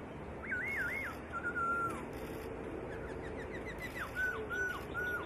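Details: White-rumped shama master song for training songbirds: varied whistled notes, a looping phrase, level whistles and a fast series of short rising notes, followed by more slurred whistles, all fairly continuous.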